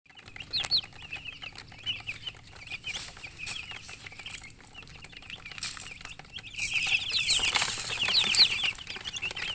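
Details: Baby chickens (chicks) chirping: a busy chorus of short, high, thin peeps repeated rapidly and unevenly, growing louder and denser toward the end, with faint low background rumble.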